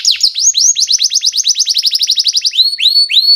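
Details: Canary singing a lure song for training young canaries: a rapid, even chatter of short upward-curved notes repeated many times, ending with a few long rising whistles.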